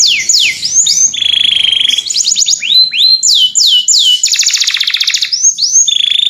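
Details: Clear-voiced canary calling to a companion, a run of quick downward-swept whistles broken by steady buzzy trills, repeated about three times a second.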